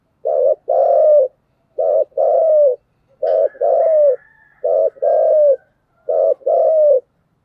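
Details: Spotted dove's steady 'thúc gù' cooing: rich, low coo pairs, a quick note followed by a longer sliding one, repeated evenly about every 1.4 seconds. A faint higher twitter briefly overlaps.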